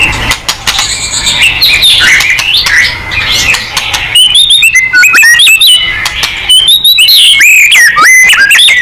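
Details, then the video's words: White-rumped shama, sung to provoke other birds, begins with blurred chatter then breaks into crisp, loud whistled phrases with abrupt upward and downward slurs, quick clicks and ringing high notes. "MURAI BATU GACOR|Hanya cukup 5 detik Langsung NYAUT!!"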